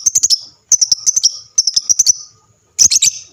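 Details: Lovebird chattering, played so other lovebirds answer: quick runs of five to seven shrill, high, clipped chirps, each run about half a second long with short silences between.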